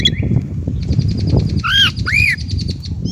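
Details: Chinese blackbird singing: two loud arched, slurred whistles in the middle, with faint chirps around them over a steady low rumble of background noise.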